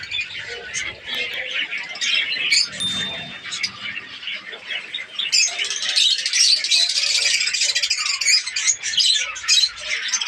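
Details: Captive budgerigars, Australian parrots kept as a breeding colony in Pakistan, chatter in overlapping high twitters and squeaks, growing busier and louder in the second half with rapid chirps.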